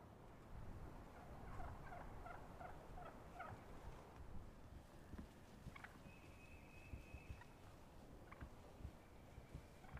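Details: Wild turkeys on a spring morning in the woods, 25 March 2018: hens tree-yelping before pitching down, with gobbling, plain yelps and gobbler purring; a fast, rattling run of throaty notes, then scattered single calls, a thin whistle, and wind rumble.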